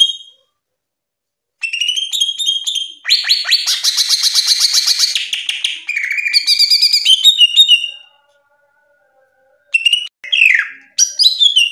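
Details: Greater green leafbird training (masteran) recording: a rich, high run of chattering trills, rapid buzzy notes and sharp whistles in bursts of several seconds, separated by short pauses.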